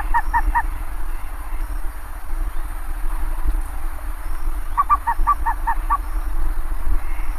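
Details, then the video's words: Three quick nasal honks open, followed later by a fast series of about six short honking notes from a bare-faced ibis, set against a continuous deep background rumble. "Canto do TAPICURU, tapicuru-de-cara-pelada, maçarico-de-cara-pelada, maçarico-preto."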